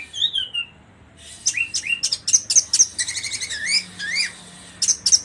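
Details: Orange-headed thrush in trotol-style song: a high slurred whistle, then quick, varied phrases of rising whistles, sharp high ticks and a fast rattling series, delivered in energetic bursts.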